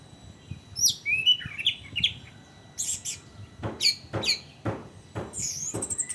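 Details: Orange-headed thrush song used as a lure for training, a varied run of high slurred whistles and sharp chirps with short clicking bursts, over a faint low rumble.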